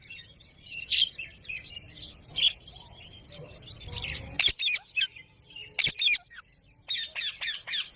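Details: Baby rose-ringed parakeet (Indian ringneck): soft high chirps, then a run of loud, harsh, screechy squawks in short separate bursts, several in quick pairs.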